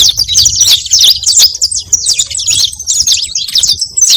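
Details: Saffron finch, its song played as an attracting call for other saffron finches: a hurried jumble of high, sharp chirps and zipping notes, nearly continuous, with brief dips.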